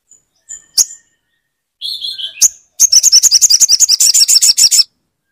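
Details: Crimson sunbird song meant to stimulate a silent bird: a few isolated high chips and a brief squeaky phrase, then a fast, steady trill of about twenty high, metallic notes lasting two seconds.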